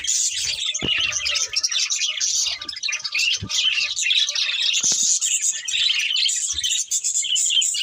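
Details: Budgerigars, a breeding pair, keep up continuous high warbled chirping and scratchy chatter, punctuated by a few sharp clicks or taps.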